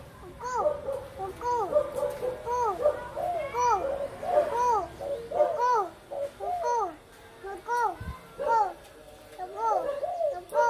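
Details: Gù khách cooing by a dove: repeated mellow, rounded coos in uneven bursts of two or three, low and hollow, with a steady background hum.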